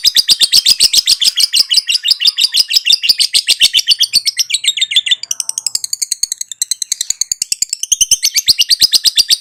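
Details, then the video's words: Pet lovebird chattering without pause, a dense, rapid rattle of scratchy high notes that changes tone partway through and keeps going to the end. "KICAU TERAPI BURUNG LOVEBIRD LANGSUNG NGAKAK NGACOR NGEKEK"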